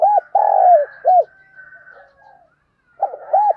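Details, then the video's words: Decoy spotted dove cooing in the morning to call others: low hollow coos in a short phrase, a longer drawn note between clipped ones, then a pause and two more coos, with faint other sounds. "Tiếng Chim Cu Mồi Gáy Gọi Vào Buổi Sáng"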